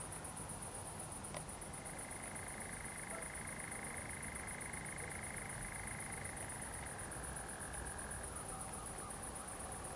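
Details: Common nightjar in a Zamudio pine wood, Bizkaia, night of 7 July 2020, starts a churring trill abruptly after a click, holds it evenly, then slides lower and fades, set against constant shrill background noise.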